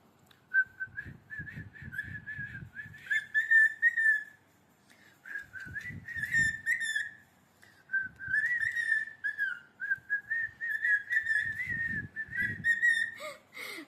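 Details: A pet cockatiel called Mithu, asked in Bengali to sing and praised for talking, runs through long, warbling whistled phrases, with a soft murmur of voices beneath.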